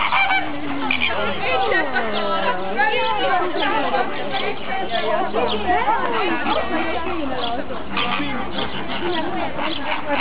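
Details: Greater flamingos (Phoenicopterus roseus) at a zoo colony of over a hundred birds with several grey downy chicks: many overlapping goose-like honks and nasal gabbling calls, constant and jumbled, with a low rumble beneath.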